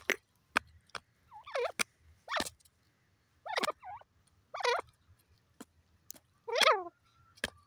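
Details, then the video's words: Teetar, the grey francolin, giving repeated rough, strongly harmonic falling-and-rising notes in short bursts, mixed with sharp clicks and a low background hum. "peasant teetar bird top sound titur awaz"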